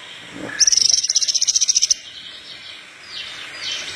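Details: Horsfield's bush lark in lively song for training other larks, one high rapid trill of about twenty sharp repeated notes lasting over a second, followed by faint background noise.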